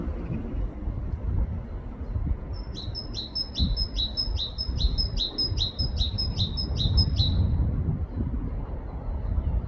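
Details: In a UK forest, a great tit sings a steady series of about eleven paired notes, each a high tone followed by a lower one, lasting some five seconds against distant low rumbling.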